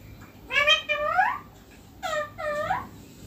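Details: Indian ringneck parakeet, a green pet bird perched on neem, calling with two pairs of raspy, upward-bending screeches separated by a short silence.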